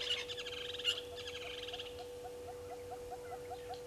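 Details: Brown-headed Parrots at a nesting tree by a waterhole on Djuma Game Reserve, Sabi Sand, South Africa, at 14:22 on 13 March 2022: harsh, rasping chatter in quick bursts for about two seconds, then quiet, over electrical hum and faint chirps.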